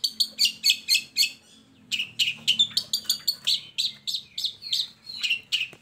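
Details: Song of a long-tailed shrike, a lure for lazy shrikes: rhythmic rapid chips about four per second, a brief pause, then continued varied scratchy high notes.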